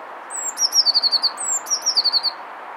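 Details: Eurasian blue tit singing while courting a female: two phrases, each opening with thin, very high notes and then a rapid, slightly descending trill of about seven bright notes, over steady soft hiss.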